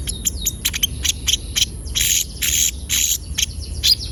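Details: Javan white-eye (konin) in full, energetic song, played as a lure so young captive birds start singing: rapid high chips running into dense buzzy twittering bursts about half a second long, with a low hum beneath.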